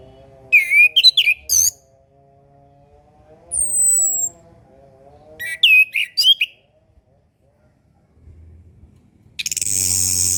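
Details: Orange-headed thrush training song with repeated bursts of twisting whistles and high chirps, a thin high drawn note between, a low steady hum underneath, and a harsh buzzing noise at the close.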